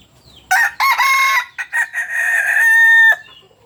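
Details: Kukuak Balenggek rooster, red-hackled (biriang merah) of the landiak class, native to Solok, West Sumatra, crowing: a loud harsh opening burst, then several short broken notes, ending in a long sustained even tone held for about half a second.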